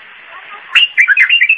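A bulbul gives a quick burst of bubbly, liquid whistled notes, about six in under a second, mid-pitched and rising and falling, after a faint hiss.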